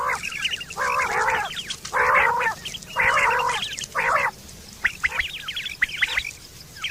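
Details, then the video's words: Quail calling, used for hunting and mating, recorded September 2023: loud, harsh, buzzy bursts about once a second, each roughly half a second long, then a run of thin, quick chirping notes. "Quail fresh sound sep 2023/ batair ki awaz"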